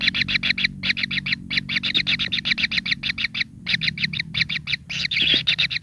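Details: Hungry kingfisher nestlings whose pin feathers are starting to grow beg greedily at the nest: a dense, nonstop stream of harsh, buzzy chirps, several per second, over a low background rumble.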